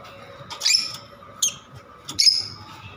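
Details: Lovebirds giving three sharp, high chirps spaced about three-quarters of a second apart over a steady low hum.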